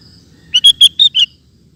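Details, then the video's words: Sooty-headed bulbul singing a short phrase of five bright, clear liquid notes in quick succession, fairly even in pitch, against a quiet background. "Burung Kutilang Ropel Super Gacor"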